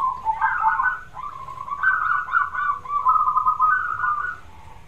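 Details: Zebra dove singing to prompt a reluctant bird to answer: one long, smooth, wavering coo that rises and falls in gentle steps over several seconds, with no other sounds.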